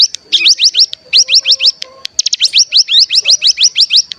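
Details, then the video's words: Rapid trilling bursts from a mountain tailorbird (cigun) in a lure recording meant to set off other birds, quick high upslurred notes packed tightly, with brief gaps and faint lower tones between runs. "Pancingan Cigun Bahan Agar Bunyi Langsung Ngebren"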